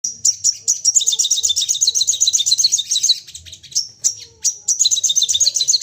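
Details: Excited crested jay firing off calls in rapid succession, used as a lure to prompt other birds to call: high, dry rattling trills broken by short sharp whistled notes, repeating in quick bursts across the clip.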